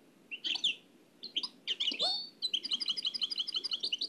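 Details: Nightingale singing an Oued El Alleug style strophe copied from an old cassette: a few scattered chirps and a rising whistle, then a steady, rhythmic rattle of repeated high notes.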